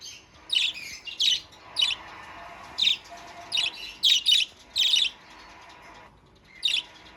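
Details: Budgerigar now singing loudly: a string of about ten sharp, bright chirps at uneven intervals, some doubled, over low background chatter, then a pause and a final chirp.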